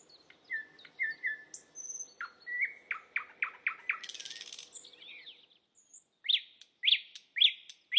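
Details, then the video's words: Asian brown flycatcher song from a training recording for songbirds: flat whistles, then a lively run of chirps, a harsh buzz, quiet high notes, and four loud sharp calls spaced about half a second apart. "Masteran sultan sikatan londo"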